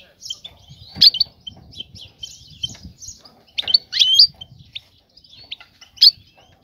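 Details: A female European goldfinch gives her breeding chatter to attract a mate: scattered high twittering notes, a few louder sharp chirps, and soft background murmur between the phrases.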